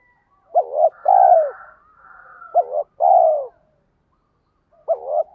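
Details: Spotted dove calling in the 'tiếng thúc' lure style used to excite wild doves. Hooked short notes paired with drawn-out, downward-sweeping coos repeat about every two and a half seconds, the last phrase cut short.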